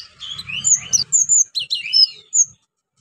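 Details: Orange-headed thrush singing, used to encourage silent birds to sing: a rapid run of slurred whistles and chirps rising and falling at high pitch, with a faint low rumble early on.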